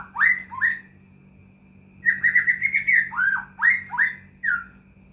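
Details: White-rumped shama singing, played as a lure to stir silent or unresponsive caged shamas: two loud upswept whistles, a pause, then a fast chain of clear slurred notes and several falling and rising whistles, over a faint constant hum.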